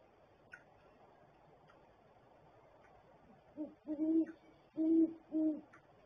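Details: After several quiet seconds with faint ticks, a great horned owl at its barrel nest bursts into four deep, hollow hoots in quick succession.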